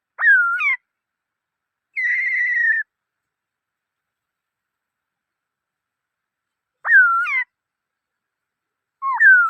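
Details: Black-throated laughingthrush giving sparse whistled phrases: sharp upslurred-then-falling notes and a steady buzzy whistle, separated by long pauses.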